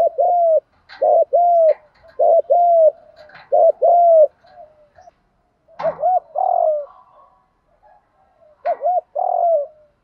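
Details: Lure call of a spotted dove in the "Đồng" voice, meant to excite wild doves; phrases of short hooting notes and a drawn-out falling coo, repeated several times with pauses and faint clicks.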